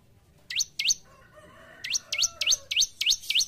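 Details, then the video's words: Bar-winged prinia, singing vigorously (gacor), used for training caged birds: two sharp upswept chirps, a pause with faint low tones, then six quick rising chirps at about three per second. "Burung Ciblek Gacor"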